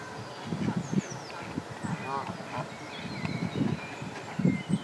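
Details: Canada goose pair at a pond, the female laying eggs and the male watching; one nasal, wavering honk midway among low grunting sounds and faint higher bird calls.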